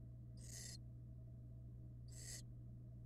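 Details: Barn owl chicks in a nest box watched by a live camera, hatching from February 2022: two breathy, noisy hisses about one and a half seconds apart against a continuous low droning hum.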